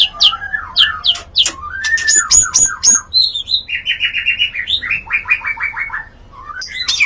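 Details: White-rumped shama mating sound used to excite other shamas to breed: sharp clicks and slurred whistles, then a rapid trilled series of mid-pitched notes stepping down.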